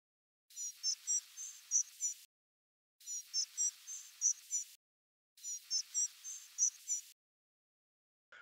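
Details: Spotted Flycatcher nocturnal flight calls, ranging from flat to ones with up to ten always ascending teeth; three bursts of about six short high thin notes each, separated by short silences.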